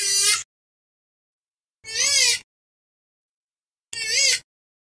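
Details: Purple swamphen, known locally as kalim, calling in a recording used as a lure for bird hunting: three nasal, wailing calls about half a second long, each gently rising then falling, spaced about two seconds apart with clean silence between.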